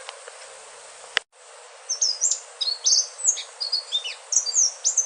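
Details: Indigo flycatcher, locally called sikatan ninon or selendang biru, sings a melodious phrase of high, thin whistled notes with quick upslurs and downslurs, starting after a sharp click and a brief gap. A steady hiss sits behind it.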